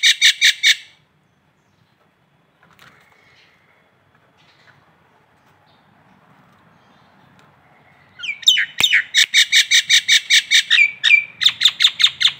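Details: Local Nias hill myna from Indonesia: a short burst of harsh ringing pulses, several seconds of near silence with faint rustling, then a long fast run of loud, regular, rasping notes.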